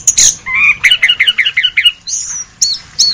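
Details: Orange-headed thrush singing a masteran: a buzzy rising note, then a quick run of about ten even chirps near the middle of the range, followed by thin high whistles and sharp notes, over a faint low background hum.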